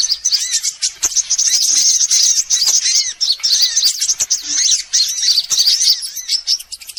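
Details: High-pitched sunbird chattering from a lure recording for all sunbird species: steady stream of rapid squeaky chirps and slurred twitters, many overlapping notes.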